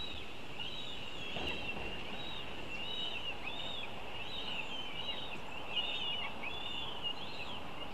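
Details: Northern goshawk at a nest in Latvia while the young are being fed, giving high, thin, arched calls repeated rapidly, about once or twice a second, over a steady hiss and low rumble.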